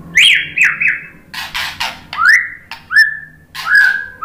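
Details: A murai batu, the white-rumped shama, gives three quick falling whistles, a harsh rasping burst, then three rising slurred whistles; a lure song meant to excite other birds into singing.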